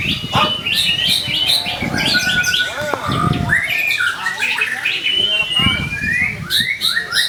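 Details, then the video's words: White-rumped shama singing loudly to provoke other shamas: bursts of harsh chatter and stacked high chips mixed with fluty whistles and rising slurs, some low thumps between phrases. "TERAPI PANCINGAN MURAI BATU GACOR AMPUH BUAT PANCINGAN MURAI CE;PAT BUNYI"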